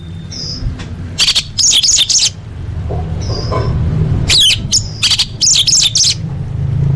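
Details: Orange-headed thrush song meant to coax caged birds to sing: soft single whistles followed by two bursts of dense, scratchy chattering notes, with a low background hum throughout.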